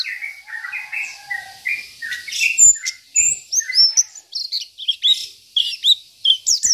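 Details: Local Oriental white-eye in full 'isian' song, a style filled with borrowed phrases and meant to rile rival birds: quick high chirps, short whistled slurs and sweeping notes follow one another with no pause and keep changing.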